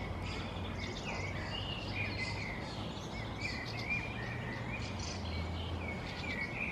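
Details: Fieldfare fledgling on a lawn in Helsinki, Finland, June 2024, vocalizing while preening beside another fledgling: repeated thin, squeaky rising-and-falling notes, with a steady low rumble of traffic or machinery behind.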